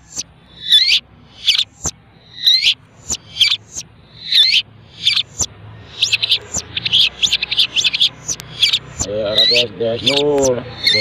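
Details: Caged long-tailed shrike, reared by hand feeding and trained on mp3 recordings, gives spaced sharp high chirps that speed into a dense chattering burst, with a brief lower wavering sound near the end.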